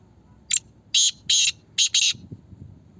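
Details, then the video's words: Black francolin from Pakistan in a calling contest gives one full phrase: a brief opening note followed by four loud, harsh, buzzy syllables in a clipped rhythm, with faint low rumbling behind. "Kala Teetar Pathy ka Muqabla"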